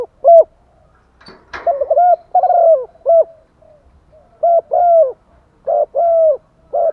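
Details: Female spotted dove calling to stimulate and attract males: low, mellow coos in short groups, each a quick note followed by a longer drawn-out coo, repeated through the recording, with one sharp click near the start.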